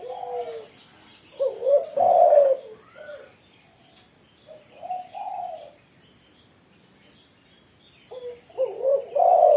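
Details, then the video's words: Singing spotted dove after its morning sunning, Indonesia. It repeats several low, husky cooing phrases, each a few short notes ending in a longer coo, separated by gaps of two to three seconds, with faint chirps in the background. "burung tekukur derkuku gacor setelah jemur pagi"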